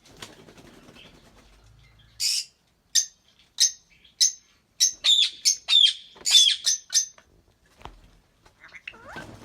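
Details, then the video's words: Albino red-eyed lovebird pair singing and chirping: quiet opening, then a burst of sharp, high chirps and squeaky trills repeated rapidly over about five seconds, ending with softer twittering notes. "Lovebird singing & chirping sound"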